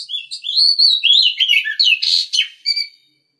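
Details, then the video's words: Oriental magpie-robin, one of a breeding pair kept in an aviary, giving a rapid run of varied whistled and warbled phrases that rise and fall, ending with a harsh burst and two short high notes. "a pair of birds breeding Oriental Magpie Robin, in aviary"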